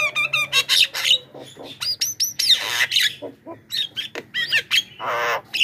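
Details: Javan myna calling to lure wild birds, a busy jumble of whistled, slurred notes, harsh rasps and short squeaks, with a grating nasal burst near the end.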